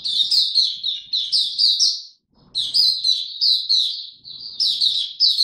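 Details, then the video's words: Oriental white-eye being ramped up to form, singing 'buka tiong aw', 3 January 2022: two long runs of rapid, high chirping notes repeated several times a second, broken by one brief silence. "Mata Puteh Dagger ramp up form buka tiong aw sing"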